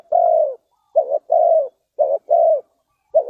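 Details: Spotted dove from Ninh Thuận, Vietnam, used in bird luring. Low cooing alternates short buzzy notes with longer smooth falling coos, about one per second, with no background noise.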